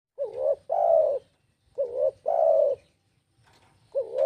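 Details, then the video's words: Spotted dove call used to lure other birds: a rising two-part note followed by a long, rich coo, the phrase repeated about every one and a half seconds, with a low rumbling hum beneath. "Suara Burung Tekukur Bikin Pikat Bahan Ikut Gacor"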